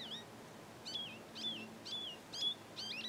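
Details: Male goldfinch in breeding plumage singing in a garden: a series of clear, wavering, slurred whistles, each starting with a short sharp note, repeated about every half second over a quiet low hum.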